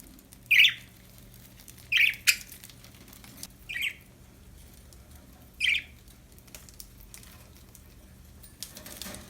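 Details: Cheerful budgies chirp in short, sharp bursts at uneven gaps, four main chirps with soft scratching and clicking in between.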